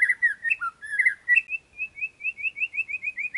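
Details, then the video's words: White-rumped shama song: a burst of varied, clear whistled phrases with thin high notes, then a rapid run of about ten bright rising notes, five per second. "Suara Indah Burung Murai"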